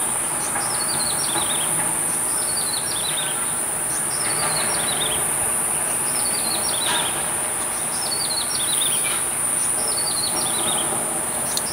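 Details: Grey-headed tailorbird seen from a window over Badouzi fishing harbour, filmed with a telephoto camera in April; high, thin descending whistled phrases repeated about every two seconds over steady hiss and traffic-like rumble.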